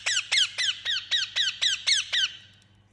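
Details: Pet Indian ringneck parakeet producing nine rasping, steeply falling calls in a steady rhythm of roughly four per second, then trailing off; soft hum in background.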